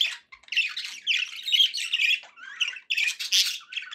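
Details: Domestic budgies singing in a near-continuous stream of harsh squawks, rasping chirps and warbled notes, loud and busy, with only one short break.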